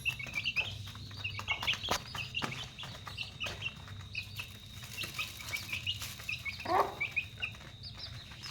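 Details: Chickens at dinner time: many high, short chick peeps, scattered and overlapping, with clucks and a steady insect-like whine throughout, plus knocking and pecking noises.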